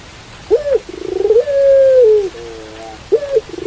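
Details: A pelung dove sings its cooing phrase in the rain: a sharp arched opening note, a rapid throbbing roll, a long sustained falling coo, a lower trailing coo, then the arched note returns.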